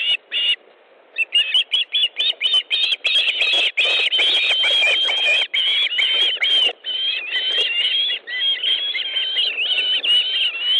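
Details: Osprey at a nest in Estonia, 18 August 2014, 18:05, as the male delivers fish to the female. Loud, excited whistled calls come in a near-continuous stream, first choppy, then long wavering phrases.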